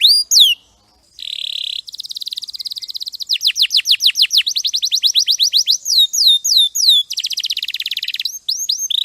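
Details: Champion canary song, clearly recorded for training other birds: a falling whistle, a pause, a buzzy tone, then long fast trills of downslurred notes, looping whistles and a rattling roll.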